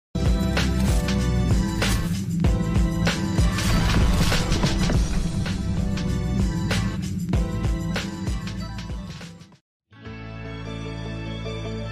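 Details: Loud, dense music with a steady beat plays throughout, breaking into a brief silence near the end before a quieter, buzzy passage resumes.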